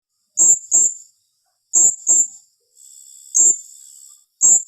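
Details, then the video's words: Blue-crowned hanging parrot in a rapid 'tembakan rapat' calling style: sharp, very high squeaky notes given in quick pairs, four bursts in under five seconds, with a thin steady high whine running behind them midway. "Suara serindit tembakan rapat"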